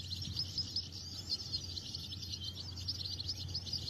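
European goldfinch singing a fast, unbroken run of bright tinkling twitters and high buzzy notes over a low steady hum.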